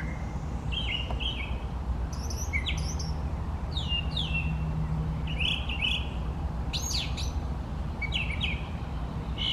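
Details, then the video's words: A male brown thrasher's song: a rich sequence of varied phrases, some notes given twice, ranging from low whistles to high sharp strokes, with a low droning background throughout. "Brown Thrasher singing beautifully"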